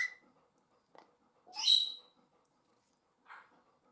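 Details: Indoors at home, one of two pet African grey parrots gives a loud, raspy, half-second screech with a squeaky whistled edge, framed by a few fainter clicks and a short softer call near the end.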